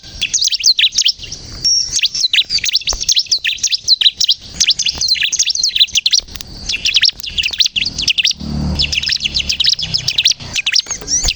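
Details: Bar-winged prinia singing energetically for luring other birds into song: a dense, continuous stream of high, scratchy chirps and trills, with faint low rumbling in the background.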